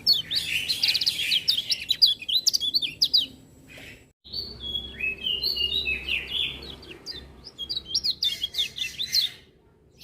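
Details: Lemon-bellied white-eye (kecial kuning) in lively song, other birds joining in; rapid high twittering phrases of quick chirps and slurred notes, a brief pause, then another long burst of overlapping warbled notes.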